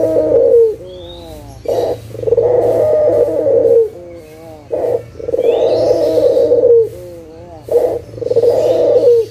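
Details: Repeated two-part cooing from a local puter (Barbary dove), played as a lure to make silent doves call again: a brief low note, then a sustained, rolling coo ending in a slight downward slur, four times over.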